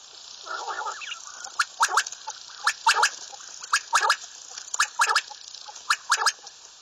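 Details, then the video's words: Bater, the common quail, calling in short bursts of two or three sharp notes that recur roughly once a second after a brief harsh rasp at the start, over steady hiss. "Bater Ki Latest Awaz, Batair ki Awaz, Bater , Bater fight, Bater voice , Common quail"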